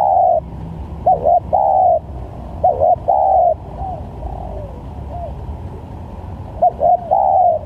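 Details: Spotted dove trapping lure with varied calls: repeated three-part coos of two clipped notes and a longer note, plus softer single falling coos between phrases, over constant low hum.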